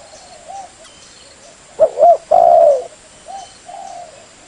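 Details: Spotted dove cooing to lure birds: one strong phrase of a clipped two-note coo and a long falling coo, surrounded by quieter distant-sounding coos.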